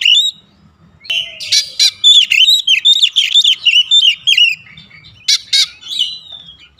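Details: Oriental magpie-robin (kacer), played to prompt other magpie-robins to start singing: a rich run of varied whistled and warbled phrases, rising and falling notes in quick succession, with a few sharp broadband clicks and a brief pause early on.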